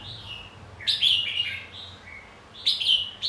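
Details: Red-whiskered bulbul fighting song used to stir other bulbuls into competitive singing: short bright warbled phrases, slurred and falling, in two loud bursts about two seconds apart with quieter notes between.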